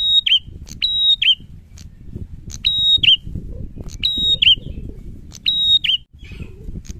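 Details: Prinia in vigorous song: rapidly repeated phrases of a sharp click, a level shrill whistle and a descending twist, about six in seven seconds, with a fair amount of low background noise.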